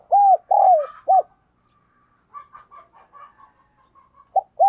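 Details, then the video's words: Spotted dove kept as a decoy, cooing to call in wild doves: three soft, arched hoots with the middle one longest, then a stretch of faint chattering notes before the coos begin again. "Chim Cu Mồi Thúc Và Gáy Gọi Rất Sung"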